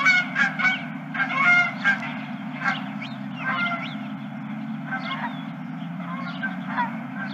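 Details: A flock of geese honks at a ranch in late March, a burst of loud overlapping calls at first, then fainter scattered honks and rising nasal notes, against a steady low background hum.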